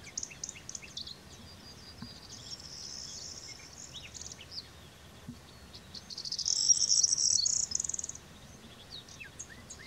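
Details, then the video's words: A pair of European greenfinches courtship-feeding give high, thin chirps and two longer buzzy, trilling bursts, the second loudest, against faint background hiss. "Verderón, pareja cebándose"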